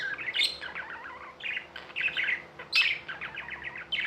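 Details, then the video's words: Pet budgerigars warbling in fast, chattering bursts of chirps and short whistled notes, several overlapping, with brief pauses between bouts and a quiet steady hum underneath. "Budgies | Talking | Singing | Chirping sounds"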